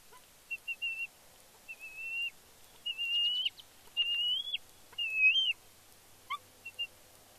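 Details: Young bald eagle near her nest at Big Bear on fledge day, 31 May 2022, calling excitedly as the male arrives with a fish; a run of thin whistled squees, short notes building into longer, upslurred ones, then brief chips.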